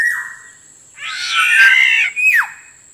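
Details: Black-naped Oriole lure call: a brief whistle falls away, then a long harsh, nasal, rasping squawk is followed by a sharp downward slurred note. A thin steady high tone continues behind.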